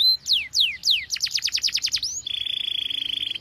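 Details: Canary song meant to train young canaries: a few slow falling whistles, then a fast run of descending notes, ending in a long steady high rolling trill.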